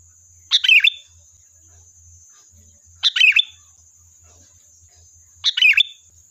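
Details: Energetic sooty-headed bulbul song played as a lure to draw a reply: three brisk, sweet chirruping phrases about two and a half seconds apart, each a quick tumbling burst, with a constant thin high whine and intermittent low hum behind.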